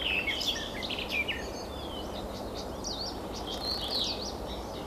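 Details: Garden warbler singing while well hidden among leaves and blossom of bird cherry or higher in an alder; bursts of fast, varied warbling notes, high and twittering, rising and falling, over steady background noise.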